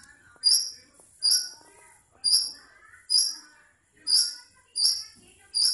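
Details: Village blangkon long-tailed shrike calling for a mate, giving seven loud, piercing high bursts in under six seconds, each fading quickly, with faint lower chattering and whistled notes between them.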